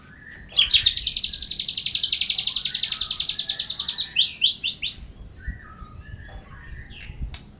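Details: Caged white-rumped shama, set out in strong sun to raise its vigour and stamina: a long rapid trill of sharp repeated notes for about three and a half seconds, then a burst of varied chattering phrases fading to quiet.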